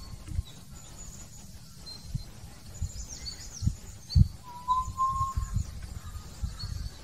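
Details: Hill partridge song: a single soft, slightly rising whistle in the second half, with thin high bird chirps scattered through and gusty low background noise.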